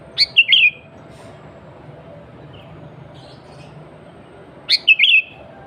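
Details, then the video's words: Lively sooty-headed bulbul, natural voice used to call rival and wild bulbuls: two short whistled phrases, each a sharp high note then two rolling, downward-sliding notes, separated by about four seconds of quiet. "Kutilang Gacor Suara Asli Tanpa Isian, Sangat Cocok Untuk Pancingan Kutilang Bahan Dan Ombyokan."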